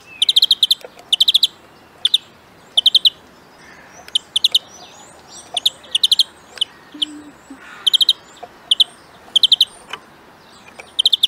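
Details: European greenfinch delivering a long sequence of quick chirp clusters, two to four bright clipped notes each, repeated about every second, interspersed with softer twittering and short buzzy notes over light background hiss.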